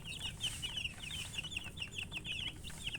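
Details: Chicks peeping in a lively group, clear high chirps repeated several times a second, some loud wavering peeps on top of softer ones, low hum underneath.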